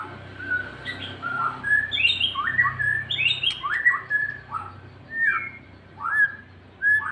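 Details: White-rumped shama being provoked into aggressive singing: loud, clear whistled phrases, many sharply rising or falling, delivered in rapid varied bursts separated by short pauses, over a faint low hum.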